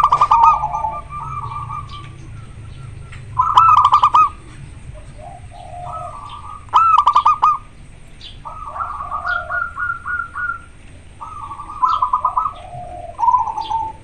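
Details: Zebra dove of local stock, in peak breeding condition, singing steadily in a very clear, natural voice; a series of rolling, stuttered coo phrases every few seconds, with intermittent sharp clicking bursts.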